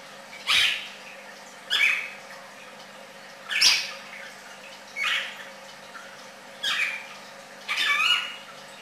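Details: Red-crested cardinal giving short, sharp whistled phrases, six bursts spaced roughly one to one and a half seconds apart, each brief and bright with a falling edge.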